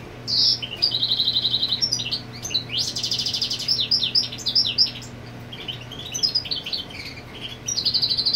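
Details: European goldfinch marking its territory, female nesting nearby: trilled phrases and chattering twitters with a harsh buzzy rasp near the middle, ending on a fresh even trill; faint low hum throughout.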